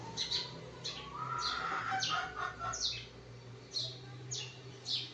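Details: Sparrows chirping in the morning: short, bright, downward chirps repeated irregularly, with a lower whistled note running beneath them for a moment and a steady low hum in the background.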